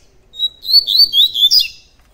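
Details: Double-collared seedeater singing a tui tui song: a brief run of high, sweet whistled notes that slide up and down, starting with a thin steady tone and ending in a quick bright flourish.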